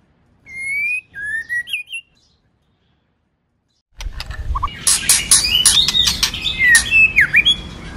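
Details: White-rumped shama, female calling to stimulate the male; a clear whistled phrase of falling slurred notes, a pause of silence, then a busier burst of sharp chirps and whistles over low rumbling background noise.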